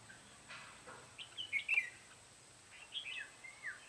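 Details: Red-whiskered bulbul recorded at a trapping spot, 14 July 2016: two bursts of loud, liquid whistled notes rising and dropping quickly, separated by a brief pause, over soft background hiss.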